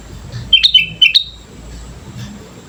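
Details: Lively sooty-headed bulbul song played as a lure: two short clusters of clear, liquid whistled notes with rising and falling inflections, close together, then quiet low background hum.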